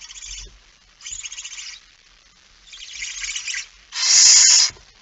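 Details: Barn owl at night as the male arrives carrying a mouse, September 2019, 23:55; four breathy hissing screeches in a row, the last one loudest and harshest.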